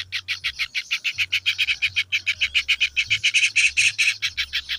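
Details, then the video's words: Kingfisher chicks calling: a fast, steady train of harsh, buzzy pulses, several per second, with a low mechanical hum underneath. "suara anakan burung tengkek udang"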